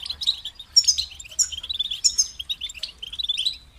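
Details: European goldfinch twittering song: tinkling high notes mixed with lower chattering runs, delivered in quick phrases with little pause.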